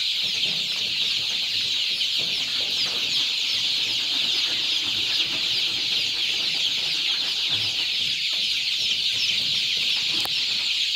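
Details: A flock of two-week-old improved Kienyeji chicks, active after feeding on a Kenyan poultry farm, producing an unbroken wall of shrill overlapping peeps, steady in loudness throughout.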